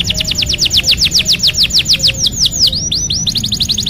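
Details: Canary song played as therapy to stimulate a bird that has stopped singing: a fast run of bright descending whistled notes, about three per second at first, slowing into looping upswept notes near the end.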